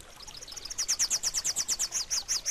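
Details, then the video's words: A rufous-capped warbler (Basileuterus rufifrons) sings a rapid, high, sweet series of chipping notes, about eight per second, starting soft and quickly growing louder. "Canto de la Reinita Coronirrufa"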